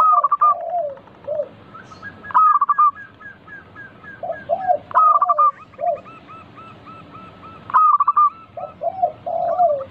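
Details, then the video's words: Lively local zebra dove song used as a lure to start other doves singing: several low, rounded coo phrases recurring through the stretch, alternating with loud bursts of sharp higher staccato notes and quick pip runs. "Pancingan burung perkutut lokal gacor - 100% bikin cepat bunyi langsung nyaut manggung"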